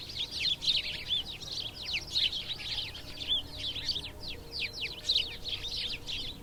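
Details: House sparrow chatter, known locally as cusfuur: rapid, high, slurred chirps tumbling over one another in a steady run, over faint background noise.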